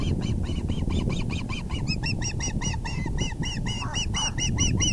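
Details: Excited osprey calling at the nest while the male delivers a large fish, evening of April 6, 2020: a continuous stream of sharp, arched chirps, mixed with fainter lower notes, above a dense low rumble.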